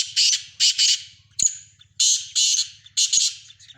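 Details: Sindhi black francolin giving its rasping call repeatedly: harsh scratchy bursts grouped in threes, each group roughly a second long, following one another quickly, over a soft low droning background.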